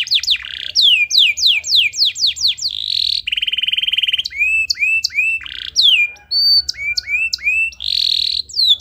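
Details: Canary singing to spur other canaries to sing: a quick run of downslurred whistles, a bright buzzing rattle, looping rising whistles and chattering phrases, strong and continuous throughout.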